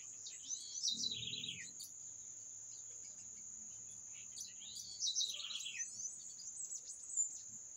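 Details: Two descending trilled bird phrases about four seconds apart, each starting high and tumbling into a fast lower rattle. A constant high-pitched drone runs throughout, with faint low murmurs.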